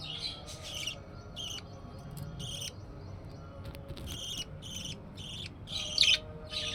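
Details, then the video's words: Young budgerigar chicks moving about. Bright, scratchy chirps come in quick separate bursts, spaced unevenly through the recording, with one louder squeak near the end over faint background hum. "budggie 24month Chick 🐥 activity"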